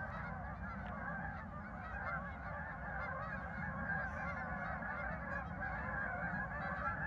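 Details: Geese at a farm park on 10 November 2024, a dense chorus of overlapping nasal honks and cackles from many birds at once, running without pause over a steady low rumble.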